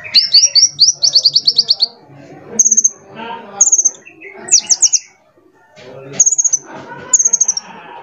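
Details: A sunbird valued for its varied voice opens with a long series of sharp descending high notes, then gives several short high rattles and a fast falling triplet, amid softer lower chirps.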